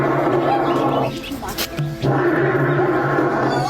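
Australian bustard giving a deep, droning roar, low and steady, broken by a quieter stretch partway through, with faint music behind.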